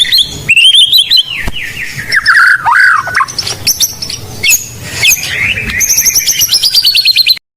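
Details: Filled lure song of a white-rumped shama for training raw birds: varied slurred whistles sweeping down, scratchy chatter, then a long fast trill of even high notes near the end, ending abruptly.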